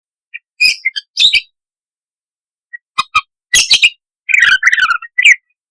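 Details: A budgerigar chatters in quick bursts of scratchy chirps, harsh squawks and rapid warbling notes, a lively song used as a lure to prompt other parakeets to sing.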